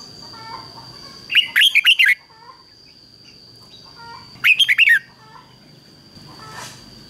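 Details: Red-whiskered bulbul decoy singing 'ché' to bring in wild bulbuls to fight: two rapid, rolling phrases of five or six notes about three seconds apart, with softer faint notes and a constant high hum.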